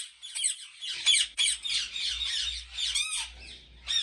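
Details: At a Pakistani ringneck parrot breeding farm, a continuous wash of overlapping raspy squawks from many caged birds, with a faint low hum underneath.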